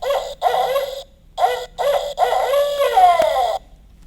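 Barred owl giving a rhythmic series of six or so throaty, mid-pitched hoots that ends in a drawn-out, sliding note, like 'who cooks for you all'.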